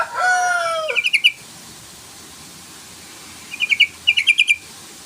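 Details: Yellow-vented bulbul call used to goad a rival into song. A clean, sliding tone opens, then come bursts of fast repeated chirps, the second burst longer, with a pause between them.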